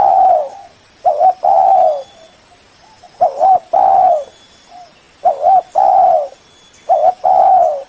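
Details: Lure call of a spotted dove, used to draw in a rival bird: rolling, low mellow coo phrases repeated about every second and a half, each a quick double note followed by a longer drawn-out coo.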